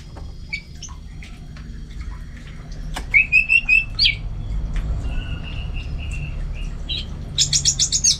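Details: Orange-headed thrush singing at home in North Bali, Singaraja: a run of rapid rising chirps, then a level trilled phrase, ending in a burst of very high sharp notes, over a low background hum.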